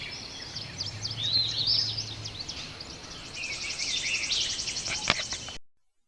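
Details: Eastern Bluebird (Sialia sialis) chirbling song: soft, burry warbles tumble through the first seconds, joined by a tufted titmouse and a pine warbler's quick, even trill, over a faint low hum.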